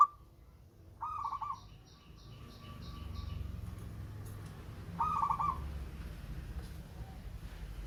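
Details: Local zebra dove with a sweet voice gives two soft rolling coos about four seconds apart, half masked by steady low rumbling noise and a faint rapid high ticking.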